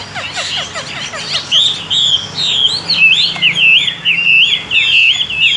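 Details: A Chinese hwamei (Garrulax canorus) sings loud, rich whistled phrases, opening with quick downslurred notes and then flowing into rolling, warbling runs, with faint background noise.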